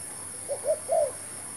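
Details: Decoy spotted dove used for trapping gives one low mellow cooing phrase: two brief rising notes followed by a longer, slightly descending coo, over a faint steady high hum.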